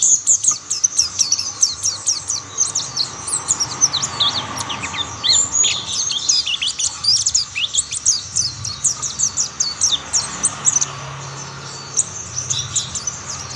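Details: Mountain white-eyes in chorus as others soon join the singing: a long, busy stream of high, sharp twittering notes in rapid succession, thinning out near the end, with a soft low hum behind.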